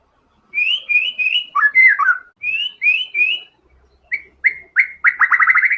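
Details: White-rumped shama in full vigorous song with mimicked isian material: a series of bright upslurred whistles, then a tumbling warble, more whistled notes, and finally a fast rattling trill of repeated sharp notes.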